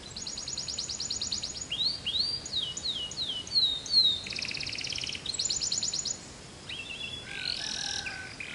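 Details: Canary singing a relaxed song of high, fast trills and sweeping slurred notes, broken into varied phrases with short pauses, over a faint background hiss.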